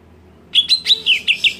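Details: Greater green leafbird screaming to provoke other leafbirds: six loud, sharp notes at a high pitch, each with a quick up-down inflection, spaced about a fifth of a second apart, over a faint low hum.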